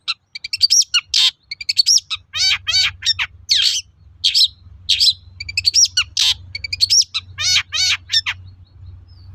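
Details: Long-tailed shrike song, used to coax other shrikes into answering, rich in varied mimicry-like phrases: rapid high twitters, harsh rattles and wavering slurred notes in a continuous, fast-changing stream over a low hum.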